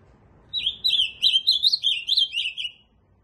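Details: Ultramarine grosbeak sings a single melodious phrase of around two seconds, notes climbing slightly then falling away, with faint low background rumble.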